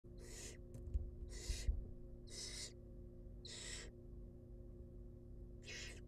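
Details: Wild barn owl chicks in a monitored nest box being fed, giving harsh broadband hissing screeches, five bursts of about half a second in six seconds, with a few soft knocks and a steady low electrical hum.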